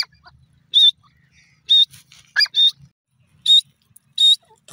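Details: A series of piercing high notes from a grey francolin, irregularly spaced about a second apart, over faint low murmuring.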